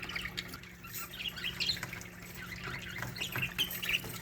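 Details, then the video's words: A flock of budgerigars in an aviary chatters continuously with quiet, overlapping warbles and squeaky chirps throughout. "budgie colony singing parakeet sounds aviary"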